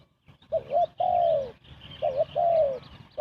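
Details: Trapping lure call of a spotted dove, fast cooing: two phrases, each a short double-humped note followed by a long, slowly falling coo, with faint high chirps behind.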